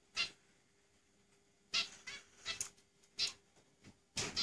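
A zebra finch gives short, harsh, nasal notes at irregular intervals, like tiny toy-trumpet honks.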